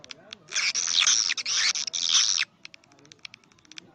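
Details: Swiftlet sound in the karindanga, liris and gondes styles: after soft clicking, a two-second burst of loud, high, harsh twittering, then a series of sharp, evenly spaced clicks.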